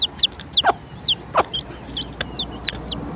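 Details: A hen gathering her chicks for breakfast gives a few soft, clipped clucks. Frequent high, arching chick cheeps run throughout.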